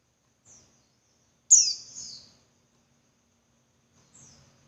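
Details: Female Javan white-eye calling to rouse males: one loud, high, downslurred chirp with a trailing buzzy tail, framed by fainter high notes before and after.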